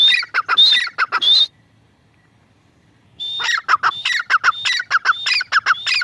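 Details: Grey francolin, a female teetar, gives loud scratchy phrases with a high whistled note. The calling breaks off for nearly two seconds of silence, then resumes in a fast repeated series.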